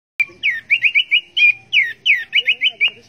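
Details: Orange-headed thrush song, a rapid run of bright, sweeping whistled notes, each sliding downward, delivered in quick bursts of about three to five notes with short gaps between.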